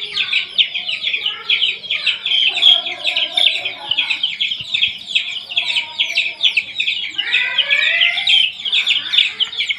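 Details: A group of young domestic chicks kept with provided heat, giving a steady chorus of shrill, overlapping peeps. Many short descending notes follow one another rapidly, with a few longer sliding cheeps near the end.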